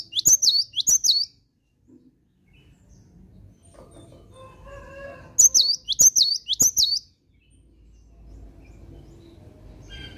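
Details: Cinereous tit singing energetically in the morning. Two piercing high double-note phrases open, a quiet gap with faint murmuring follows, then three more identical whistled phrases, with low background noise after.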